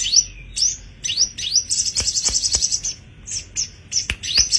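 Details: Tame caged sogon (sepah raja) singing vigorously: bright upward-swept whistles, a burst of rapid high trilling in the middle, then more rising whistles, with a few soft clicks.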